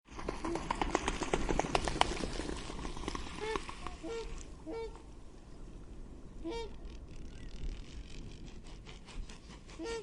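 A swan gives short, nasal, horn-like honks at irregular intervals every second or two, against a steady rush of wind or distant traffic.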